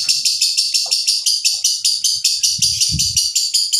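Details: Rough lovebird ngekek, stopping slowly like a diesel engine: a steady, shrill pulsed trill, each beat distinct and evenly spaced, with a few low bumps in the background.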